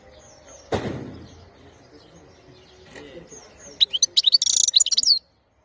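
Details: European goldfinch of the wild (khalawi) type, recorded in 2021. A soft knock and quiet background come first, then a rapid, high, jingling twitter of quick repeated notes that ends abruptly.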